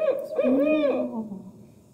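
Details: Barred Owl in Iowa gives a short run of low, rounded hoots with a rising-and-falling, slurred 'who cooks for you' quality, fading out at the end.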